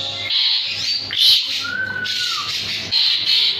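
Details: Jalak suren, an Asian pied starling in lively song. Raspy, grating phrases are broken by a clear whistle that holds steady and then slides downward. Further buzzy bursts follow.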